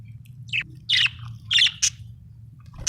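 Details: Budgerigar chirping: a few bright, scratchy high chirps and squeaks in quick bursts over a steady low hum.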